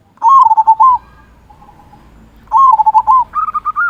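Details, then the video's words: Local zebra dove with a big 'kung' voice, singing to lure silent doves: a strong burst of bubbling coos, a second after a short gap, then a higher run of quick stuttered notes. "Perkutut Lokal Gacor Suara Kung Besar Pancingan Burung Perkutut Agar Bunyi"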